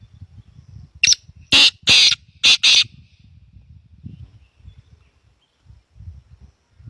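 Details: Black francolin giving a loud, harsh, grating phrase of a brief opening note followed by two pairs of rasping notes, over a steady low background rumble.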